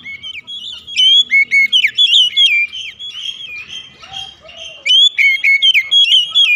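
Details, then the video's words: Oriental magpie-robin kept indoors, singing as a lure to get other birds going: nearly continuous rich whistling with quick rising and falling notes, a brief softer passage midway. "terapi pancingan Kacer tanpa mengenal waktu | Kacer rumahan pasti gacor"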